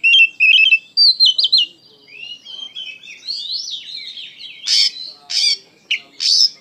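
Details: Oriental magpie-robin singing energetically: stuttering high whistles and a slurred warbling run, ending in several loud, harsh, buzzy bursts.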